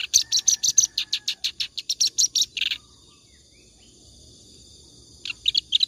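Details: Clamorous reed warbler's continuous ngacor song for training other birds; nearly three seconds of rapid harsh chattering, a pause of quiet, then a short burst resumes.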